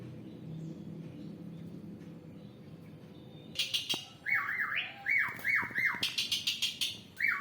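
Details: Asian pied starling singing busily with strange sounds, a bird able to mimic human voices and other birds; after three seconds of low hum, harsh rasping squawks mix with a run of repeated falling whistled notes in quick succession.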